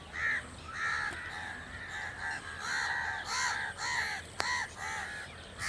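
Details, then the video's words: A crow caws over and over, hoarse nasal calls roughly twice a second, with a couple of sharp clicks between them. "Crow | The amazing birds natural crow sound | کوے | کوے کی خوبصورت اواز"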